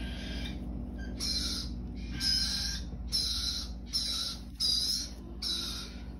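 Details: Cockatiel chicks, bred in captivity, giving harsh, hissing, raspy bursts repeated roughly every 0.8 seconds, each burst broad and noisy with a low steady hum underneath.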